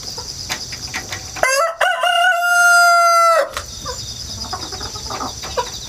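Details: Rooster hatched at home and raised in the countryside, recorded with an action camera and wireless mic on a ladder, crowing repeatedly: one long, steady, loud crow of about two seconds, with insects chirring in the background.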